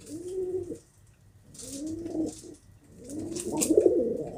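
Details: Throaty pigeon coos in three drawn-out, wavering phrases, the last louder and rougher, with light scratchy noises in the background.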